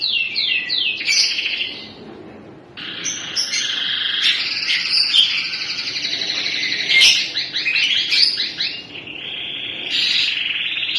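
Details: Canary, a crested 3-in-1 type, singing a long high song of rapid trills, buzzy rolls and repeated downslurred chips without pause, with brief sharp clicks.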